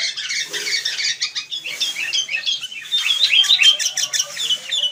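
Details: Wild sooty-headed bulbuls keep up rapid, jumbled chirping, a restless mix of high squeaks and short bubbly notes with barely a pause.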